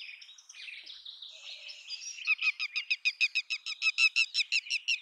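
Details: Red-wattled lapwing, locally called tateri, calling: after a soft, blurred start, a fast run of loud, sharp, strident notes repeated about three times a second, clear and evenly spaced.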